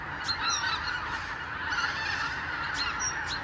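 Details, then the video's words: Thousands of wild arctic geese wintering on the Lower Rhine fly back at morning from their roosts to pastures and meadows. A dense, unbroken honking chorus fills the air, with scattered higher rising yelps above it. "Tausende von Gänsen | Thousands of geese"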